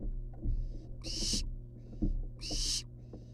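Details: Barn owl nestlings, wild, perched outside their nest box, give two loud breathy screeching hisses about a second and a half apart, with fainter hisses, thumps and scuffling of movement, and a low background hum.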